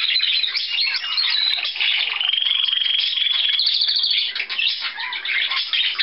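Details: Caged canary trilling continuously, a dense high rolling trill with a sustained whistled tone in the middle, loud and steady throughout.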